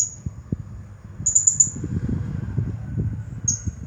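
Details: Blue-crowned hanging parrot, a champion singer, with high piercing notes: a quick four-note tick burst and a single sharp note, over low clattering and knocking noises.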